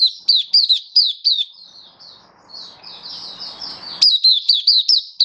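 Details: Mata puteh, an oriental white-eye, in happy open song display, February 2023: evenly spaced high chirps slur downward, about four per second, followed by a quieter warbling passage over faint rustling, then the chirp series resumes.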